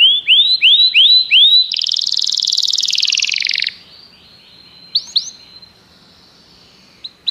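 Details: Common canary song: five rising whistled sweeps, then a loud buzzy trill of about two seconds, followed by quieter scattered notes and short upslurred whistles.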